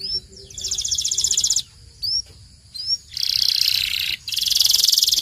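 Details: Belgian canary training song: rattling, buzzy trills broken by short pauses and a few single upslurred chips, then a long dense high trill that stops briefly and resumes.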